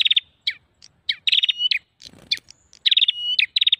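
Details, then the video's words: Prinia lure call: dense, rattling high trills broken by quick descending chips. A thin level whistle links the bursts, with a brief low scuffle near the middle. "SUARA PIKAT PRENJAK"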